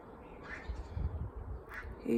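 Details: Domestic ducks give two harsh, loud quacking bursts about a second apart in unison, an alarm call, often set off by a neighbour's cat on the fence according to the owner; low rumbling background and a man's voice.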